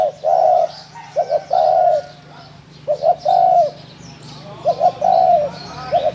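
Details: Spotted dove giving its thổ đồng gù coo: three to four phrases, each a quick double note then a sustained, low, hollow coo, with brief pauses between phrases and faint high chirps in the background.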